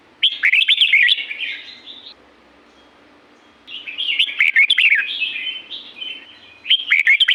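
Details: Red-whiskered bulbul from Pa La-u forest, Thailand, singing bright, fluty warbled phrases of quick rising and falling notes, one phrase near the start, a softer trailing phrase after a pause, then another loud burst at the end.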